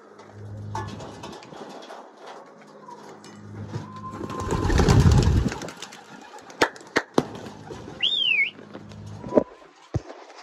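Racing pigeons give low, droning coos in drawn-out phrases, broken by a burst of wing flapping, sharp clicks and a brief high whistle.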